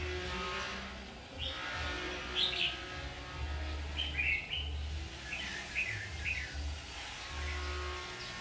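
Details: Red-whiskered bulbul at a trap, 7 August 2019, singing a series of short sharp chirped phrases, several in quick succession over a few seconds, against a steady low hum.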